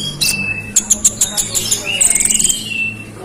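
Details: Konin, the scarlet-headed flowerpecker, in short provoking song: a thin steady whistle, a quick series of high chips, then a fast sparkling trill over a long faint whistle.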